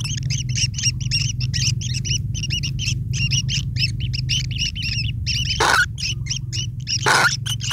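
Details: Nestling long-tailed shrikes calling nonstop for food from their parent, a dense run of short scratchy chirps, broken near the end by two sharp rustling bursts over a constant low hum.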